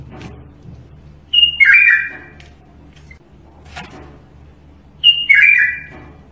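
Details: Bulbul of Iraq performing Zamli-style song, two matching whistled phrases that open on a high note and drop into a rich, slurred warble, separated by a quiet pause.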